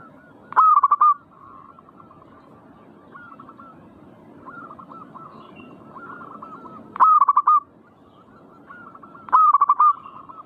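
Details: Manggung song of a zebra dove (perkutut), played to provoke singing. Loud stuttering phrases of short rolling coos come at uneven gaps of two to six seconds. Quieter, continuous cooing from other doves fills the pauses.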